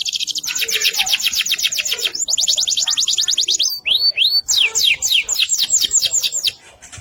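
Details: Lively AFS canary, sung for training other songbirds: fast repeated high chattering notes, a pair of rising upslurred whistles near the middle, then more rapid sweeping note runs before fading.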